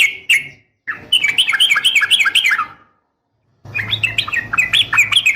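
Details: Female sooty-headed bulbul calling a male, a long rapid 'ropel' sequence used as a lure to make males sing: bright chirpy notes repeated about four per second, broken by two abrupt silences, with low background hum.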